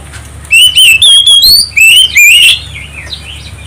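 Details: Oriental magpie-robin lure recording to provoke singing: after a brief quiet start, five loud, overdriven whistled phrases of rising and wavering notes in quick succession, then soft distant whistles.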